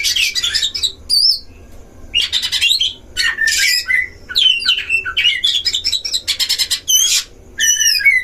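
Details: Oriental magpie-robin in a breeding cage, its song played as a duel lure for other magpie-robins: bursts of rasping, buzzy notes alternating with high rising whistles, several phrases separated by short gaps.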